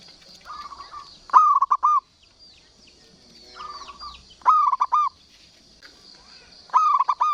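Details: Zebra dove of local stock, used to coax silent doves into calling, repeats three cooing phrases: each opens with soft trilled notes that lead into a louder, rolling, stuttering coo, every two to three seconds, over a constant high background hum.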